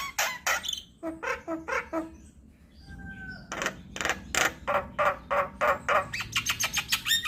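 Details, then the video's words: Javan myna song used as a lure and training model for all kinds of mynas: loud harsh broadband notes in quick series, a brief pause with thin whistles near the middle, then rapid rasping notes repeated about three per second. "PAncingan Dan Masteran Jalak Kebo Buat Semua Jenis Burung Jalak"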